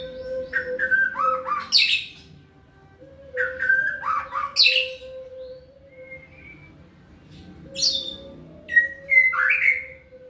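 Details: Full mimicry repertoire from a white-rumped shama in macul style, with rich warbled phrases and sharp high upward sweeps separated by short pauses, backed by a constant low hum.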